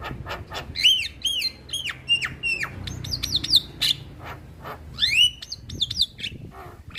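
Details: Male Javan myna in natural song, delivering a busy string of loud slurred whistles that swoop up and down, interspersed with harsh clicks and rasping notes.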